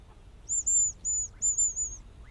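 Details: Hazel grouse calling loudly and close: a run of piercing, very high, thin whistles, the first long and level, then shorter broken notes, all within two seconds over a quiet background.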